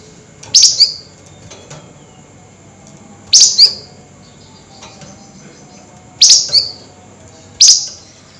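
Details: Flameback calling at night, excited: short, sharp, high-pitched double notes, each a scratchy burst with a brief falling tail, repeated roughly every one and a half to three seconds, four times, over a low background hum.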